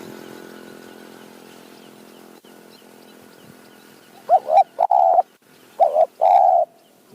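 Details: Spotted dove responding to a decoy in mountain forest, with the local call pattern 'throw 4 3 2 1 kuk, call 1 2 kuk'. A steady low hum gives way to two loud hollow coo phrases, each a short note then a longer held one.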